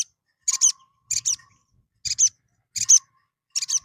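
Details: Little spiderhunter; call; lure to provoke fighting males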